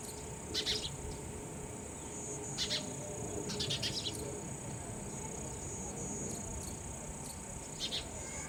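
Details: Sparrow parents feeding raw insects to their young; short bursts of high chirping come in small clusters at irregular intervals, set against a steady high-pitched insect drone and low background rumble.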